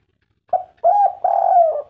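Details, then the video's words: Local spotted dove in kuk 3 style: a short soft coo, then two long smooth low coos, the last one drawn out and gently falling, with clear silence around them. "derkuku kuk 3 lokal gacor"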